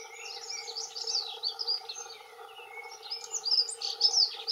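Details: Two male dunnocks singing territorial song: rapid, jingling high warbles that run on and overlap, rising in loudness toward the end, over a steady low background hum.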